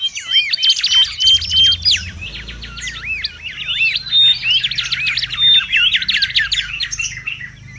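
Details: Mangrove whistler song in the wild, used as a lure and tutor recording: lively, rapid run of whistled and chattering notes with looping slurred phrases and steady repeated strokes, continuous and busy, light low rumble beneath.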